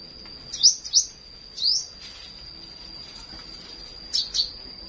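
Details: Clear high, sharply rising chirps from a flowerpecker in the morning, a pair, a single, then another pair after a pause, over a steady thin high whine and quiet background.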